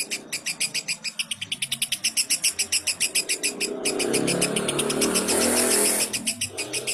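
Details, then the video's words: Lovebird song played as training audio for other lovebirds: a fast series of harsh, buzzy chattering notes, about four each second, for nearly four seconds, then merging into a dense, continuous rasping chatter before a few last notes. "Masteran Ampuh Burung Love Bird"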